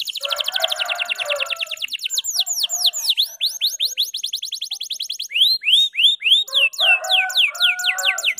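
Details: Canary of the F2YS type in long, non-stop chirping song used as a tutor recording for caged birds: fast buzzy trills of rapidly repeated notes, then a run of loud, sweeping, falling whistled notes, repeated about four times a second.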